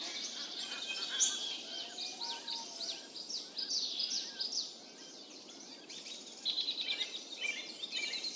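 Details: Yellow-eyed babbler at its nest, the mother bringing large caterpillars to feed chicks: a dense run of thin, high chirps and short squeaky notes, chattering almost without pause, over a soft background hiss.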